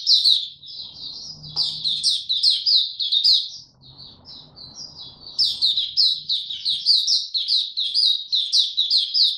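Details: White-eye, a young male developing his song, 9 February 2022: long, rapid runs of shrill, sweet chirps and twitters with barely a pause, broken by a short, softer stretch midway. A faint low hum sits underneath.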